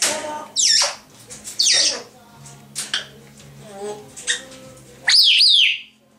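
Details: Two grey parrots kept as pets, chattering: loud harsh squawks with high notes sweeping steeply downward, quieter clicks and mutters between, and a final strident squawk sliding down in pitch.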